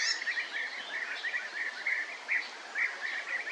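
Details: Rolling, trilled prruip notes of European bee-eaters, repeated steadily for several seconds at an even mid pitch, some overlapping as if from more than one bird, over soft background noise.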